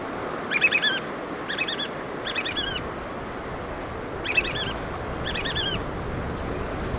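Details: Black oystercatchers bringing food to chicks: clear runs of shrill piping whistles in short rapid bursts, three close together then two more after a pause, with surf rumbling underneath.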